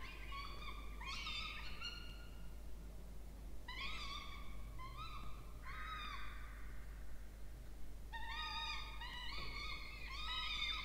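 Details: Peregrine falcon nestlings, two chicks, in a water-tower nest box in Orange, New South Wales, Australia, 20 October 2024, while being fed. Three bursts of grating, stacked, wavering cries, near one, four to six, and eight to eleven seconds, over a constant low hum.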